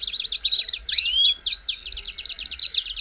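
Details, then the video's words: Belgian canary singing a warm-up song: rapid zigzag trill, a few looping rising whistles in the middle, then another quick rattling trill, with a low background hum. "CANTO PARA ESQUENTAR CANÁRIO BELGA RÁPIDO"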